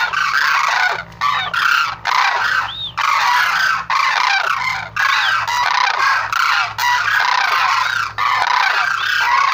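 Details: Sarus crane giving a continuous run of loud, rasping trumpeted calls, dense and overlapping, with short gaps roughly every second or two and occasional rising, curved notes.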